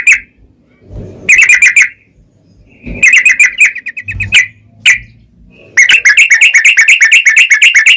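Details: Yellow-vented bulbul song used to provoke other bulbuls into singing: loud bursts of rapid bubbling, chattering notes in rolling series, separated by short pauses, with low thumping knocks in between.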